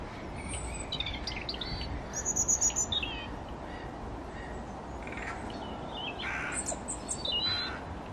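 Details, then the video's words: European robin at Yarrow Valley Park, Chorley, on 9 January 2020, singing thin, high, varied warbling phrases with short pauses, over a steady low rumble of background noise. "Robin singing"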